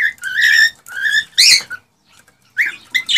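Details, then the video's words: Male cockatiel whistling to stimulate a female to mate: clear, level whistled notes held about half a second each, a buzzy squawk, then short rising chirps after a pause. "تغريد طيور الكوكتيل ( الكروان ) لتحفيزها على التزاوج والانتاج"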